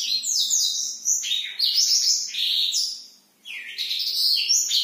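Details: Black-throated canary singing prolifically at night, a long run of rapid high twittering phrases with sliding whistled notes and trills, broken by one brief pause near the end.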